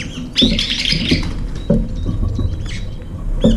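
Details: Brown-eared bulbuls visiting a window feeder, arriving two or three at a time to eat around the food bowl; a harsh, broad squealing call lasts nearly a second, with short chirps and tapping, pattering feeder noises throughout.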